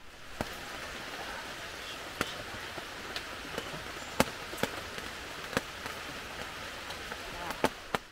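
Steady rain-like hiss with scattered sharp taps and drips, and no animal calls.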